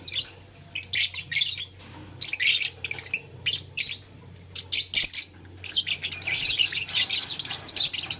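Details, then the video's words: Blue, lutino and green lovebirds busy with a flower in the morning, uttering spaced high chirps that build into a continuous run of rapid chattering squawks toward the end, with a low hum. "LoveBird Playing Flower - Chirping Sound"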